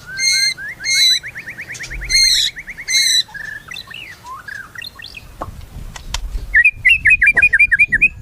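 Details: White-rumped shama singing varied phrases: buzzy high bursts over rapid whistled trills, then slurred rising notes, and a closing run of quick repeated whistled chips.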